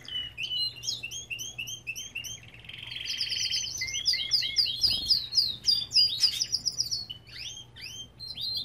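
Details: Several Belgian canaries singing in an aviary: overlapping bright chirps and fast rattling trills, with sweeping whistled notes and rapid rolls layered together throughout.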